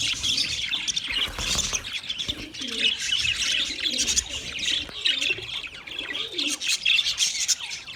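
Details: Budgerigars chirp and warble steadily, overlapping high squeaks forming a dense chatter, with gentle low rolling tones heard in the background.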